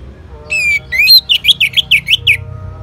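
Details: Orange-headed thrush from North Bali, responding to a lure sound, gives a brief loud phrase: a descending whistle, then a rapid series of about seven wavering, buzzy, up-and-down notes.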